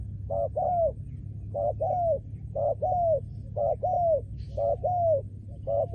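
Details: Trained decoy spotted dove, kept for ground decoy trapping, repeating its song steadily. A short stuttered note leads into a longer arched coo, and the phrase returns about every 1.4 seconds, six times, against a low constant hum.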